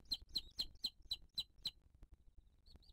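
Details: Wild Booted eagle at the nest in 2023, the mother feeding her chick: six quick, high, clipped notes in a fast even series, then near silence with one faint, thin note at the end.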